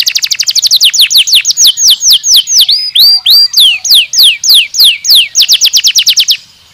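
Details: Long canary song: a quick rattle of notes slows into loud, evenly spaced descending whistles, a few brief hooked notes, then a fast trill to finish.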